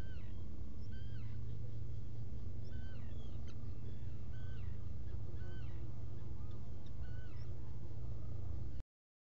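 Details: Black guillemot inside a nesting burrow on Seal Island NWR, Maine, on a burrow camera early on 5 July 2018: thin arched squealing calls, repeated in a loose series roughly every second, over a steady deep rumble.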